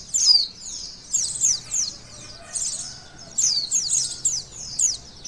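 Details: Thin, high twittering song of a white-eye, in an emotion and arousal test: clustered bursts of fast falling notes with quieter pauses between, over a faint low hum.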